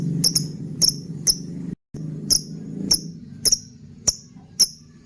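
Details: Shrill clipped chirps from a lovebird, a lure for other birds, spaced about half a second apart with a brief dropout near the middle and a low hum underneath.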